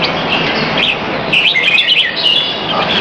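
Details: Caged red-whiskered bulbul exercised in a bird arena at Serangoon North Ave 1 on 22 Feb 2017 around 2:15pm: bright, warbled chirping phrases, some rising and falling, over a steady background hiss with a few sharp clicks.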